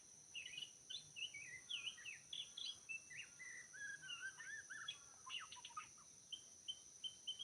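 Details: Forest white-rumped shama from Lombok, recorded during trapping: rich, continuous song of twisting whistles, chattering notes and sharp chips repeated rapidly, backed by a steady high-pitched insect drone.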